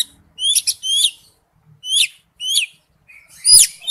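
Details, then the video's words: Oriental magpie-robin singing for a lure recording: clear, ringing downslurred whistles in spaced phrases, about four notes with pauses, ending in a bright note over a faint thump. "tiếng chim chích chòe than mồi"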